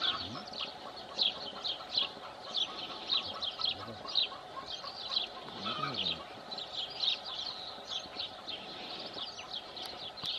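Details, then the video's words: Rosy starlings at Congosto in June 2021 keep up a dense, busy chatter of short, harsh, grating notes from many birds at once, steady throughout, with a faint low hum underneath. "ESTORNINO ROSADO"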